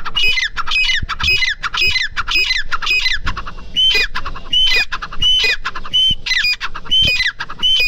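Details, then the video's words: Grey francolin calling loudly and insistently, harsh ringing notes with a shrill whistled top repeated about every three-quarters of a second, a rapid, slightly uneven series running throughout, with faint rural background. "Titar ki awaz"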